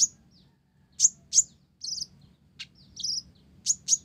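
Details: Energetic song of a blorok olive-backed sunbird carrying Java sparrow imitations. Very high sharp tweets come in pairs, broken by brief buzzy rattles, with a quiet low hum behind.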